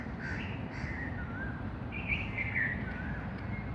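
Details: Outdoor birds give a couple of soft rough calls, then a longer run of bright warbled whistles in the second half, backed by steady low rumbling noise.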